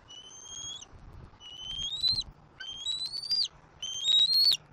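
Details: Juvenile bald eagle squeeing to be fed as its father feeds it bites of fish on a Southwest Florida nest; four upward-sliding shrill cries, the last one the loudest.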